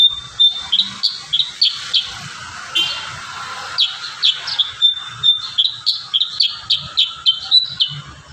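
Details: Kurincang singing vigorously with a filled, varied song used as training audio for other birds: a quick run of sharp, high chirps, about three or four a second, some slurred and whistled, continuing steadily throughout.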